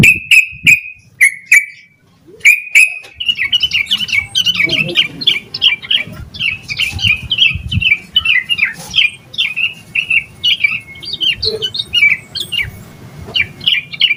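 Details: Yellow-vented bulbul in full, agitated song meant to stimulate other bulbuls: a few loud clipped notes, then a fast, unbroken chatter of bubbly warbled phrases over a low background rumble.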